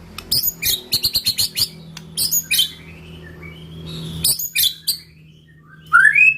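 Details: White-rumped shama song used to provoke rival birds: bursts of sharp high chirps and buzzy notes in rapid series, a pause, then more chattering phrases and a rising whistled ending, over a low steady hum.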